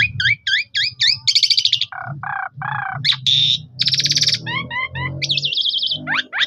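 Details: Phone recording of a caged Asian pied starling used to prompt other starlings to sing: quick double chirps, buzzy trilled bursts, coarse mid-range notes and slurred whistles, with a constant low hum underneath.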